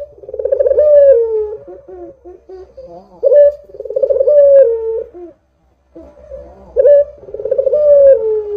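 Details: Actively calling Barbary dove, recorded to lure doves into calling: three rolling coos roughly every three seconds, each pulsing then falling away, with short soft notes between and a brief silence before the last.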